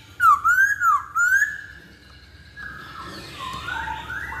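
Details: Masked laughingthrush singing, used as a lure to prompt birds to sing; three loud swooping whistles in the first second and a half, then quieter distant whistling over low noise.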